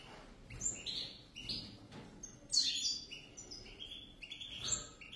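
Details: Two European goldfinches in song, a jumble of quick high chirps and short buzzy trills, some notes sliding upward, delivered in irregular bursts with brief gaps.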